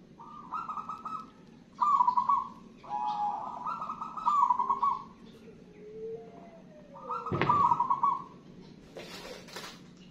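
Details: Perkutut, the zebra dove, a local wild-type bird in full song: several rolling trilled coo phrases at a steady mid pitch, separated by pauses, with a lower soft note and a sharp knock near the end.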